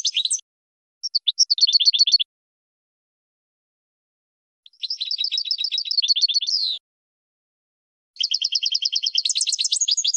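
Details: Training recording of European goldfinch song: short chirps, then long, very rapid even trills with twittering overtones, heard in three bursts of up to two seconds with silent gaps between.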